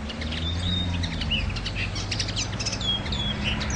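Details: Common linnet singing a dense, rapid twitter of high clicks, chirps and short slurred whistles that runs almost without pause, over a low steady rumble.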